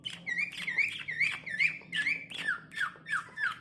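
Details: Tame Asian pied starling, a talking pet bird, repeating a squeaky, upslurred note about twice a second in a steady series, with faint room hum behind.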